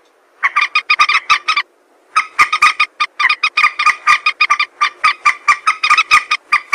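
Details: Common moorhen (jal morgi) calls used as a hunting lure: rapid runs of short, harsh, stacked clucking notes, a brief burst, a pause, then a longer steady chattering series.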